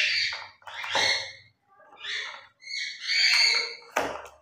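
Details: Two grey parrots kept as pets talk and play through their morning routine; four rough, speech-like bursts with bright upper bands, the last ending in a sharp click.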